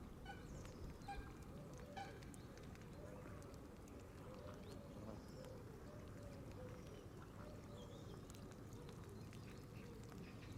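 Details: Canada geese, a flock feeding on green grass at the water's edge and surrounding a camera left running there, give a steady stream of overlapping low honks and murmurs, with a few louder honks early on over a constant low rumble.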